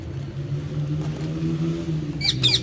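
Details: Playful pet Alexandrine parakeets let out two loud, harsh squawks close together near the end, each rich and raspy, after a stretch of steady low rumbling background hum.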